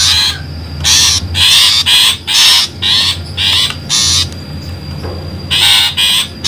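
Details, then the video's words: Long-tailed shrike lure call used to attract birds for trapping; loud, harsh, rasping bursts about half a second long, repeated roughly twice a second in uneven runs, with a faint steady whine underneath. "suara pikat burung pentet"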